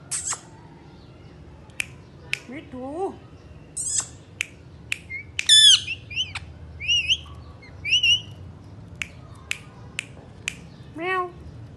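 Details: Indian ringneck parakeets, a trio of pet talking parrots, make scattered clicks, one low rising croak, then bright wavering squawks in mid-sequence and a final descending call, with quiet pauses.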